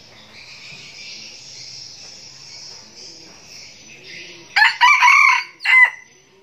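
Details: Young decoy red junglefowl from Bình Phước, Vietnam, crows loudly: a harsh, broken run of three rasping syllables, the last one shorter and clipped, after several seconds of steady high insect buzzing and quiet background.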